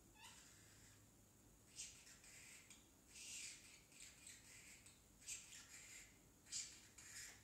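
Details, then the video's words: Pet parrotlet, a baby male learning to talk and repeating "tickle tickle", gives quiet scratchy high utterances in uneven groups, a few sharper squeaks standing out among soft chatter. "Parrotlet talking"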